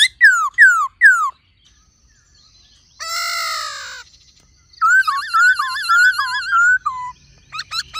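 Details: Laughingthrush singing in many voices with a female calling: three quick falling whistled notes, a harsh buzzy harmonic burst, then a long warbled, wavering phrase and a few sharp upswept notes.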